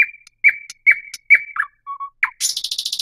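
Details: Thrush nightingale song: a run of loud whistled notes with quick downward flicks, a short low pure whistle, then an abrupt fast buzzy rattle at the end.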